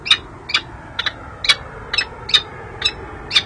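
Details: Peregrine falcons at a nest ledge on San Jose City Hall, California, 13 January 2024, female courting the male early in the season; short sharp harmonic chips repeated roughly twice a second, eight notes over steady low background hum.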